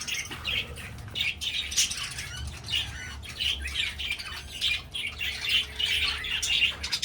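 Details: Captive budgerigars kept for breeding produce steady warbling chatter of rapid high chirps and buzzy notes throughout, with light fluttering and low background noise.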